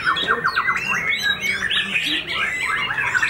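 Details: White-rumped shama with white tail feathers, a caged contest bird freshly out of moult, singing fast: a quick series of repeated short notes, then jumbled harsh and whistled phrases, with faint voices behind.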